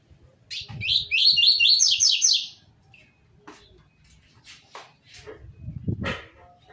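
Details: A saffron finch sings a quick run of bright, slurred rising notes of the "tui tui zel zel" song type, used to tutor young birds, then falls mostly quiet.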